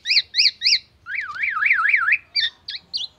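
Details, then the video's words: Black-naped oriole imitating an ambulance siren and oriental magpie-robin: three bright rising-falling whistles, then a long zigzagging siren-like warble, ending in short clipped notes. "KEPODANG EMAS TELER BONGKAR ISIAN MURAI BATU DAN SIRENE AMBULANCE"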